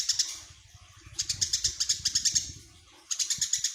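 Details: Eurasian tree sparrow, tame and singing constantly, gives a short chirp pair, then a quicker run of about a dozen bright, high tweets, a pause, and another burst; low soft knocks and shuffling sounds throughout.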